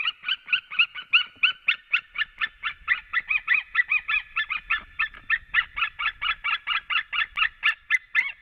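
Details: White-tailed eagles greeting at their Latvian nest as the male returns to the female, 7 March; long, rapid and regular series of yelping calls, about four per second, without pause.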